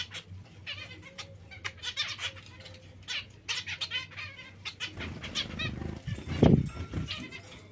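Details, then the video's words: Zebra finch calls, short nasal harmonic notes in a loose series, followed by a louder low, broadband rustle near the end over a steady hum. "Il diamante💎 mandarino🍊"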